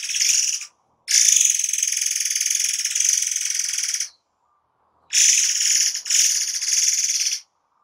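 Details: Tutor-style recording of a forktail (murai air) giving dense song bursts; a brief high buzz, a long three-second shrill pulsing trill, a pause, then two further grating bursts in quick succession.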